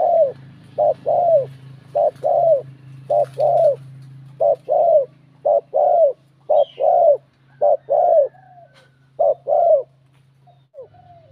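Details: Spotted dove, a male cooing to provoke rival males, its bell-like voice used as a lure: soft hollow coos around mid pitch in paired and triple bursts, roughly once a second, with a steady low hum beneath and a faint higher chirp.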